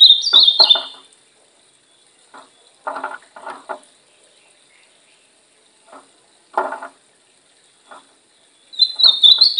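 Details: Brown-plumaged ultramarine grosbeak kept for song training: short bursts of high warbled whistling open and close the passage, with scattered dry clicking and rustling sounds in between.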